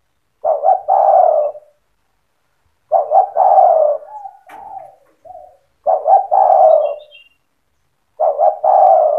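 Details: Spotted dove singing the energetic cetretan style that stirs other doves to answer. Four low cooing phrases come roughly every 2.7 seconds, each a stuttering pair of notes and then a drawn-out coo, with quieter brief coos filling one gap.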